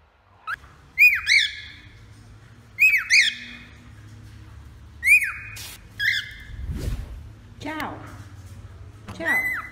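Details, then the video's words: Singing male cockatiel giving loud whistled notes that sweep downward, in short bursts a second or two apart with quiet gaps between, and a faint low thump midway. "Calopsita Cantando Macho"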